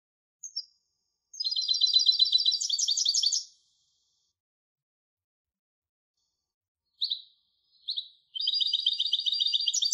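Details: European goldfinch hybrid song: a fluttering high trill of quickly repeated notes, a long pause, two isolated sharp chips, then another rapid twittering phrase.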